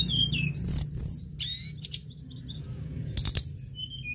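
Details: Tledekan gunung lark in vigorous song: very high ringing whistles, fast stuttering trilled bursts and a brief rattling flurry, backed by a faint low hum.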